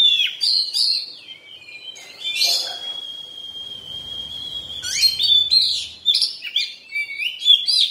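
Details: Oriental magpie-robin in molt, singing a loud, varied run of sharp chirps and slurred whistles, then a long, steady, high whistled note lasting about three seconds before the rapid, jumbled phrases resume.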